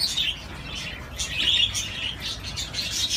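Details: A budgie on a swing gives a few scattered, bright chirps and twittering notes, loudest about halfway through, over a faint low hum.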